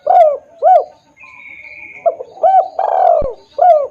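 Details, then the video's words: Spotted dove lure call, loud and clear, used to attract wild doves: low mellow coos with arched tones, a long drawn coo among short ones, over about four seconds, plus a steady high thin whistle from another source midway. "suara pikat tekukur||suara keras dan jernih"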